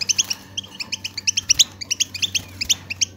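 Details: European goldfinch singing, recorded to stimulate silent goldfinches to sing: short crisp chirps repeated at an uneven pace over a steady low hum.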